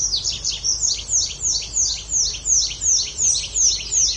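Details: Bird chirping for a focus-sounds timer: bright, high, downslurred chirps repeated about three times a second in a steady, pulsing rhythm over soft background hiss.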